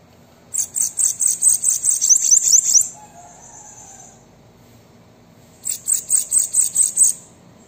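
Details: Two bursts of bananaquit song, played to get a captive bird singing: each a quick, evenly paced chain of shrill, buzzy high notes, separated by about three seconds of quiet hiss.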